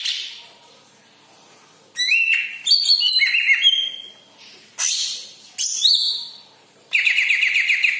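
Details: Yellow-headed green leafbird song, played to get other kept birds singing: bright whistled notes and sweeping chirps in bursts after a quiet opening, with a buzzy trilled phrase at the end.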